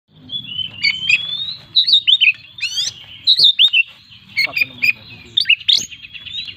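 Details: Oriental magpie-robin (kacer) in chatty 'gacor full isian' song, packed with fill-in phrases: bursts of sweet whistled notes and sharp rising and falling slurs, clipped chips and a few harsh rasping notes, with short pauses between phrases.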